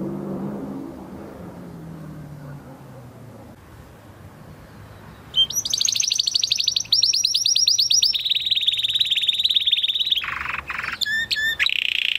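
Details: A Spanish Timbrado canary from 2020 breeding, singing a training song, breaks in with rapid high trills, then a long rolling trill and bright metallic notes. A low fading hum comes before the song.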